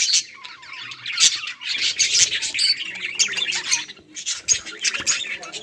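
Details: Budgies chirping as they play together: dense, nonstop high-pitched chattering and squawky chirps from several birds at once, with short bursts overlapping.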